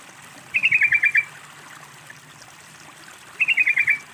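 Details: Sooty-headed bulbul played as a lure to prompt a silent bird to sing, two short bubbly phrases of about seven quick chirpy notes each, separated by roughly three seconds, over faint trickling water.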